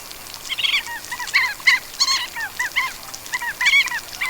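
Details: A flock of Crab-plovers (Dromas ardeola) in Sri Lanka calls raucously: harsh, tern-like barking notes, several overlapping about twice a second with no pause, mid-high in pitch, as given in flight.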